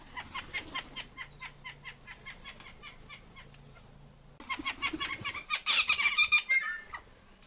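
Tui giving a fast run of short, clicky notes that burst into a louder, jumbled mix of whistles, chimes and rasping sounds, with a low hum underneath.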